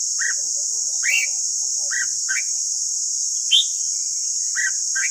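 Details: White-cheeked red-whiskered bulbul singing in the morning as a training recording: short, clear, two-part whistled notes spaced roughly a second apart, one brighter higher note midway, over constant hiss.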